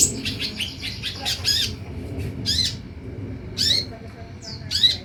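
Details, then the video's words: Olive-backed sunbird lure: a rapid run of short ticking notes, then spaced harsh buzzy chatters about once a second over background hiss. "SUARA PANCINGAN DAN MASTERAN UNTUK SEMUA JENIS KOLIBRI YANG AMPUH MEMBUAT KONIN NYAUT DAN IKUT GACOR"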